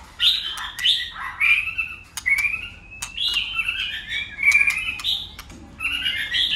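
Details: Shama in contest singing, changing voices without pause: a continuous flow of varied warbled and slurred whistles with occasional sharp clicks.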